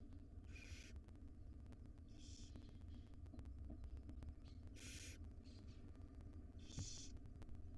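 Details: Five wild barn owl owlets in a monitored nest box, fed breakfast by their mother; harsh hissing screeches in four bursts of about half a second over a steady low hum.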